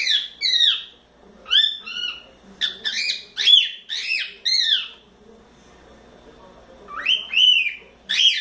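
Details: Four-month-old pet cockatiel, playful and talkative, at its playground: loud, harsh, rasping calls in quick groups of two or three, each note dropping in pitch, then a pause and another burst of calls.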